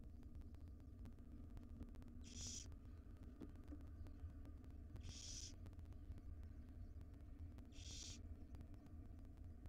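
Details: Begging by five wild barn owl owlets being fed breakfast by their mother in a nest box: three breathy, hissing screeches spaced roughly every three seconds, with a continuous low hum beneath.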